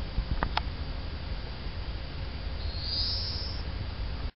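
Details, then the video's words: A European greenfinch calls around 8:45 pm on a June evening in County Antrim, Northern Ireland. It gives a single drawn-out, wheezy high note lasting about a second, over a steady low rumble and a few faint clicks. "Greenfinch Call in the Evening"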